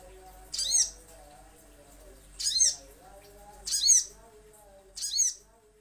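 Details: Little spiderhunter lure recording: four rasping, very high calls spaced roughly every one to one and a half seconds, each bearing a softer curved lower tone, with a low hum and faint murmur beneath.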